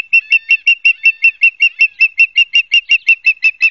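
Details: Osprey nest at Barnegat Light, New Jersey, filmed by a live cam on 12 September 2022 in late afternoon; loud, clean whistled chirps repeated quickly and evenly, roughly three per second, throughout.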